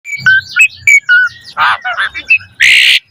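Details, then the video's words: Asian pied starling singing actively with a rich repertoire, used as a lure to train caged starlings: clear whistled notes alternate with harsh, buzzy rasping bursts, ending in a loud grating burst. "Suara Jalak Suren Gacor Full Isian Mewah Auto Bongkar Isian Pancingan Burung Jalak Agar Isian Bagus"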